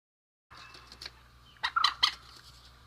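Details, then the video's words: Male and female rail calling: after a quiet opening, a short cluster of loud, harsh, clipped notes bursts out near the end over a soft background hiss. "Suara Burung Mandar Jantan dan Betina"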